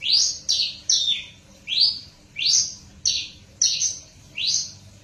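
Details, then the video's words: Bush lark hybrid, Java female crossed with parfa male, giving loud high slurred notes, some rising and some falling, spaced unevenly about eight times in five seconds. "branjangan hybrid hasil kawin silang parfa x Java(Java betina x parfa jantan )"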